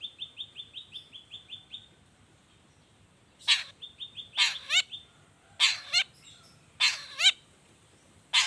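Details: Long-tailed shrike lure song, 'toet toet' variation used to spur other shrikes to sing: a rapid string of short whistled notes, then paired harsh, swooping calls repeated over soft background hiss.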